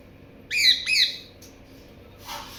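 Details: Parrot giving two loud, harsh squawks with layered harmonics in quick succession, then a brief fainter burst and a short rasping noise near the end.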